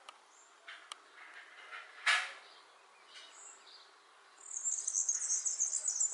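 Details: European serin singing while filmed unawares; after scattered clicks and a sharp knock, a fast, high, jingling trill of rapid buzzy notes fills the last seconds over steady background hiss.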